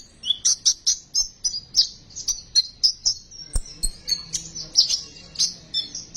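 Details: Sunbird in besetan style, played to lure and stimulate sunbirds to sing: strongly rhythmic high chirps, roughly three per second, over a steady thin trill.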